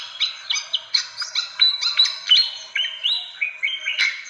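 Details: Fantail calls for luring birds: clear separate whistles, several held level tones stepping downward, ending in a sharp click-like note.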